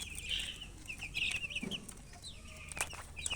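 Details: Baby chicks crying for drink water, several shrill, short peeps in quick runs, with faint background hum.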